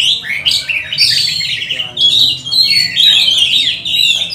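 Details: Loud Oriental magpie-robin song used to train and stir up other magpie-robins during lockdown; bright whistled phrases, some rising and some falling, broken by brief pauses.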